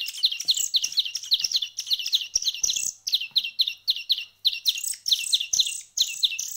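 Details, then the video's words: Small bird nestlings hand-fed for one week, calling in fast high chirps grouped in pulsing bursts, with a few scratchy wider-band notes. "كيف أصبحت فراخ العصفور بعد مرور أسبوع من التأكيل اليدوي"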